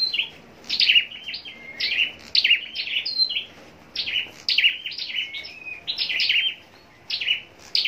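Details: Scarlet-backed flowerpecker kept in captivity for contest singing, delivering bright, sharp twittering phrases of clipped high notes with thin drawn-out whistles between them, in bursts roughly every second.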